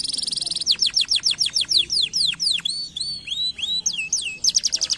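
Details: Canary song opening with a rapid high trill, then a series of loud downslurred whistles about five per second, followed by rising swooping notes and a closing fast trill.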